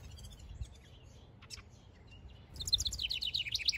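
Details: House wren male at his backyard nest site, building a nest, gives a sudden loud, fast chattering run of high bubbly notes in the last second, after quieter scattered faint chirps and clicks.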